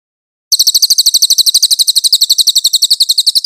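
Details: Bright cililin chipping from a master recording meant for tutoring magpie-robins, a brisk, continuous train of high, clean notes at about four per second after a brief silent start.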